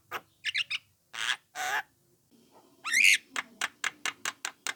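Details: Lure calls from a young Javan myna are used to draw responses from other mynas. Harsh squawks and raspy bursts give way to one loud, rough note, followed by a rapid, evenly spaced series of short clicking notes.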